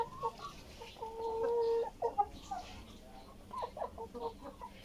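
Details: Tiger chickens fed vegetables: short harmonic clucks, then a drawn-out, steady nasal call of about a second, followed by scattered quick clucks and chatter from several birds against a low background hum.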